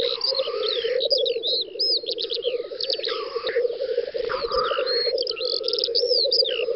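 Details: Black grouse lekking on a spring field in the Volga federal district, western Russia, 9–10 May 2019: a steady low bubbling coo runs throughout, with hissing bursts and many high whistled songs of other birds layered above.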